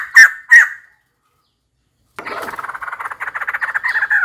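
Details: Female white-crested laughingthrush calling for a mate: two loud sharp notes, silence, then a rough chattering run that becomes a steady, rhythmic series of strident notes.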